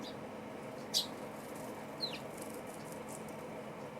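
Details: A Eurasian tree sparrow gives two short, high chirps about a second apart, the second dropping in pitch, over steady hiss. Parent and young sparrows are feeding and bathing in spring before the rainy season.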